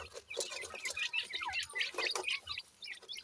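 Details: Feeding in a yard, francolin chicks aged 28 days keep up a dense chatter of thin high chirps and tweets, several birds calling over one another amid light pecking.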